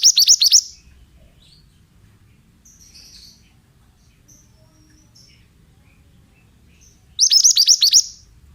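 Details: Oriental magpie-robin, used as therapy sound to get young birds to answer: two bursts of rapid, hooked, high chirps at the start and end, with faint scattered notes between.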